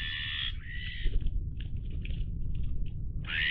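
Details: Iberian magpies, dated 03-10-20, giving harsh, banded calls at the start and end with fainter short notes between, over a steady low rumble.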